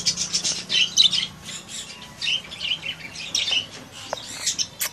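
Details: Young African grey parrot giving scratchy, high squawks and short chirps in clustered bursts with brief pauses, over a faint low hum.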